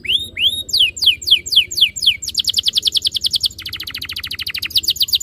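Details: Singing canary played as a lure for other canaries: upslurred whistles and descending sweeps lead into a fast rolling trill, then a lower, buzzier roll before bright notes return.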